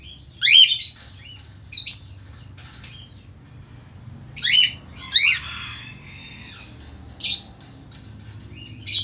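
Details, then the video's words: Male budgerigar in full song: bright, scratchy chirps repeated every one to two seconds, some falling sharply in pitch, with a steady low background hum throughout. "falk australi gacor"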